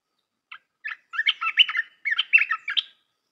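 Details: Red-whiskered bulbul song for training young birds: a short chip, then two linked runs of cheerful, slurred whistles and bubbling notes, stretching over about two seconds.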